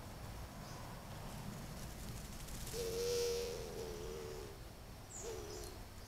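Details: Camera-trap recording of a Grey-fronted Dove during mating in the nesting season: a low, hollow moaning coo that swells, then fades downward, then a fainter note, over a steady rural hiss.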